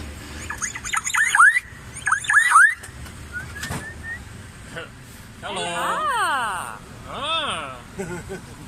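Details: Talking bird at Ao Nang, Krabi, Thailand, giving two bursts of sharp rising whistled notes, then drawn-out wavering voice-like sounds with rich overtones, against a faint outdoor background.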